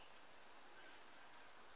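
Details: Siberian blue robin singing in a forest: thin, very high, faint ticking notes spaced about every half second, growing slightly louder, over a soft background hiss.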